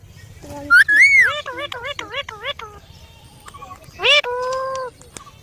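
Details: Parrot talking: a run of clear, voice-like syllables with rising and falling tones in quick succession, then a short pause and a longer, steady drawn-out vocal note, faint background hum.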